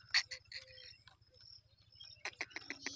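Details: Two Sindhi black francolins; one gives a harsh, grating burst of clipped notes, then a quick rasping series near the end, over a steady low pulsing hum; recorded on 18 July 2024.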